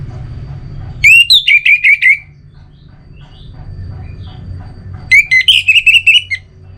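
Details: Two bursts of Orange-headed thrush song, each opening with a rising whistle followed by five or six quick, evenly spaced slurred whistles, separated by about three seconds of quiet low rumble with faint distant chirps.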